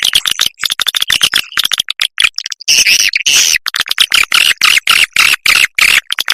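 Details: Swiftlet summoning its young with a rapid series of dry clicks that run into a louder, raspy twittering chatter, then return to clicking, all at high pitch.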